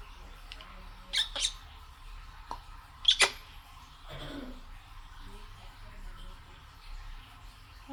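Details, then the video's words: African grey parrot, a Malayalam talking pet, gives sharp, high whistled squawks in quick pairs and a short speech-like phrase, calling to be let out of its cage. "Malayalam talking parrot"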